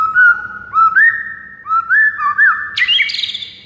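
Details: White-rumped shama singing in the morning, a master recording for teaching other birds: mellow looping whistles rising and falling, ending in a bright burst of high notes.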